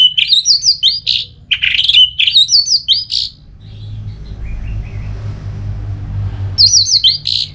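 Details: Orange-headed thrush (anis merah) ngeplong song, used to stimulate another bird to sing: rapid bursts of varied whistled and chattering notes in two long phrases, a pause with low rumble, then a new burst.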